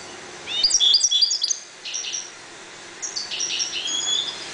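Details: European goldfinches breeding in a 1.20 cage deliver a quick run of bright, liquid twittering notes, followed by softer high trills and a thin drawn-out whistle.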